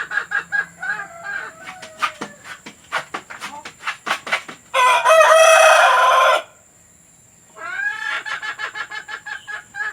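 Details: Domestic hen sounds recorded for playing to hens about to lay; rapid sharp clucks, then a loud sustained harsh squawk, silence, and another burst of quick rhythmic cackling.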